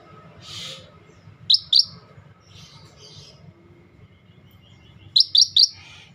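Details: Scaly-breasted bulbul, called a rare bird singing energetically in a tutor recording for training songbirds: two sharp high chirps, a pause of about three seconds, then three quick similar chirps in a row, over a low steady hum.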